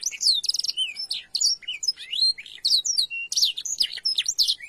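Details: Canary master recording made to teach young canaries to sing, with blackthroat phrases mixed in: fast, high, varied chirps, trills and sweeping whistled notes, delivered in dense bursts with brief gaps.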